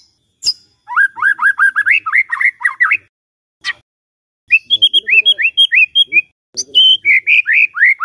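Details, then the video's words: White-rumped shama song played in the morning to get a silent shama singing: long rapid sequences of upslurred whistles, broken by pauses and a few sharp high clicks, with varied warbled phrases. "Pancingan PAGI-PAGI AGAR MURAI GACOR❗sekali coba murai DIAM langsung bunyi"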